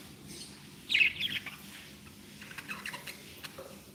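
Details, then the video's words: Happy pet budgerigars: one loud, scratchy chirp rises out of quiet room noise, followed by softer broken warbles and clicks. "Happy budgies | Happy budgies sound"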